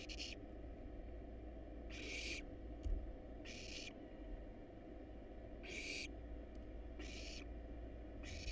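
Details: Wild barn owl chicks begging in a monitored nest box as a rat and rabbit are brought: irregular harsh hissing rasps, about seven in eight seconds, over a constant low drone with a soft knock.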